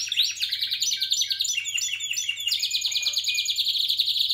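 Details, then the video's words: Spanish Timbrado canary from 2017 singing continuously: metallic, rapidly pulsed trills and rolls shifting through several short phrases, ending in a long even trill. "Timbrado español original"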